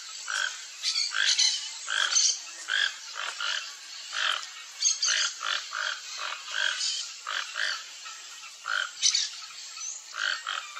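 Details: A pair of Toco Toucans foraging for fruit in riparian forest in Brazil trade rough, croaking grunts, about two a second, against a steady high insect hiss.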